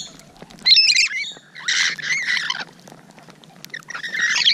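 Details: Rainbow lorikeets up close on a June 2017 morning, three separate bouts of rasping, shrill squawking broken by quieter gaps.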